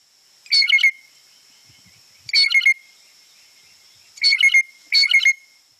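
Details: A Blue Jay gives its lower-intensity "squeaky gate" alarm call, almost melodic: four short bursts of quick, creaky notes, about two seconds apart.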